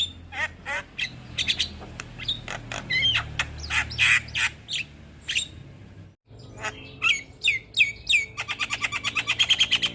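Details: Javan myna gacor tutor recording: varied clicks, squawks and rising whistles, a brief silent break, then quick whistled phrases ending in a fast, even rattle of notes.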